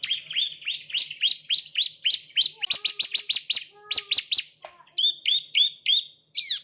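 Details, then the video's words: Bar-winged prinia chirping, used as a training lure. Rapid, sharp chirps run together, then a louder burst of clipped notes with faint lower slurred tones among them, ending in short, flat high notes. "the chirping of ciblek birds"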